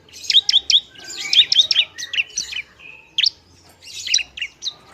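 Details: Bar-winged prinia in agitated song for provoking other prinias: quick trilled runs of bright, high notes, a brief steady whistle, then more chirping bursts.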